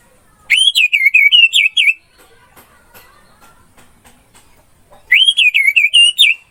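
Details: Orange-headed thrush song used to train caged birds: two bursts of fast undulating whistled notes, each lasting about one and a half seconds, separated by a quiet gap with faint distant chirping.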